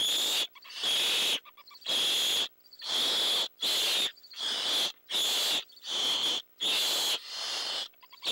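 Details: Steady series of loud, harsh hisses, eight or nine bursts in eight seconds with clean silent breaks, given defensively by an owl at night as owlets wait for prey to be brought.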